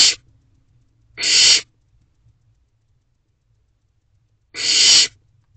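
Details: A barn owl owlet in a nest box, filmed at 8:39 pm on 5 July 2023 while swallowing a rabbit whole. It gives three harsh, breathy screeches, each about half a second long, with near-silent gaps between them.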